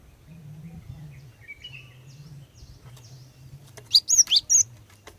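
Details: Female Cinereous tit calling to lure males into singing: after a low steady hum and faint distant chirps, a quick cluster of four or five sharp, high chirps comes near the end.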